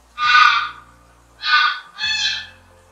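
Three loud, harsh, nasal honks from a Greylag Goose, the first longer and the last two close together, with a faint low hum underneath.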